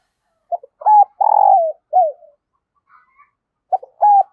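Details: .Decoy spotted dove calling to lure wild birds: a short clipped note, a level coo, then a long rolling coo sliding downward and a brief falling note, then a pause before the phrase starts again. No other sounds.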